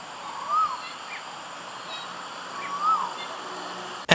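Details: In the morning at Wat Phuttabucha temple in Bangkok, an Asian Koel gives two clear, arched whistled notes, each rising then dropping, about two seconds apart, over a steady urban hum.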